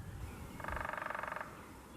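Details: A Hairy Woodpecker drums a very fast, even roll, the most rapid drumming of the area's woodpeckers at over 25 beats per second, with quiet outdoor background hiss.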